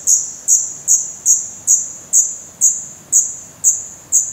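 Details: Black redstart chicks in a nest, Portugal, 16 May 2020, close-up recording; evenly paced, thin high squeaks about every half second, eleven in a row, each sharp at the start and fading quickly.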